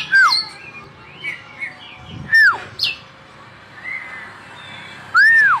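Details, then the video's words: An Oriental magpie-robin sings as a vocal tutor: loud, arched whistles that rise and fall every two to three seconds, between softer chirps and squeaky notes. "guru vokal kacer gacor"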